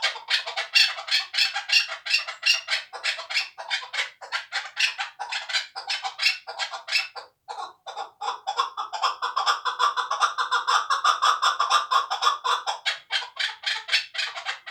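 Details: Chukar partridge kept for hunting, two years old and raised from a chick in Tojikobod district, calling in fast, uneven bursts of sharp chucks. After a brief pause near the middle, a fuller rhythmic run of clucks follows.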